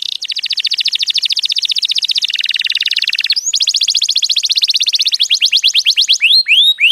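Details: Canary singing, meant for teaching young canaries: long, very rapid rolling trills, dropping to a lower, denser roll midway, then resuming high rolls and finishing with a few loud swooping whistles.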